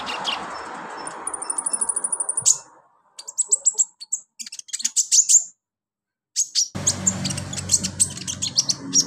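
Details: High twittering from a kolibri ninja sunbird, meant as singing therapy, begins with a rapid even trill, breaks into silent gaps, then returns as fast, scattered, piercing chips.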